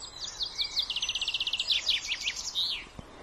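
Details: Full song of a common chaffinch, beginning with spaced sharp notes, accelerating into a fast even trill, then breaking into loud slurred phrases and a terminal flourish near the end; steady low background noise and a brief click.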